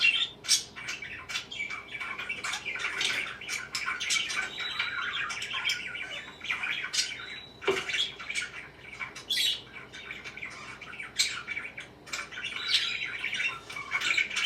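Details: A long stretch of parakeet chatter: rapid, scratchy chirps and squeaks from several birds, dense and unbroken, with a brief louder click near the middle.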